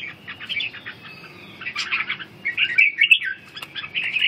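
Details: Red-whiskered bulbul in ché training with recovering strength; soft, slurred whistles murmur along, swelling into a louder cluster of bright notes midway, over a low background hum.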